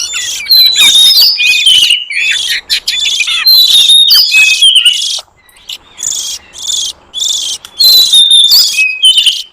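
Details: Lure recording for wild oriental magpie-robins in forest: rapid bursts of buzzy chatter and sharp whistles, a quieter stretch midway, then loud whistled phrases return.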